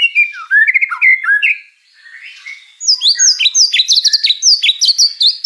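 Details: White-rumped shama singing a full song packed with mimicked fill-in phrases: varied rich whistles and slurred notes in the first half, a short quiet gap, then fast bright chattering phrases and high repeated notes.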